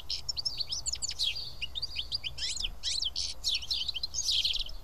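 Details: At Karyotissa in Greece, a flock of house sparrows feeding side by side produces steady, crowded chirping, short piercing notes packed closely together, over low background hum.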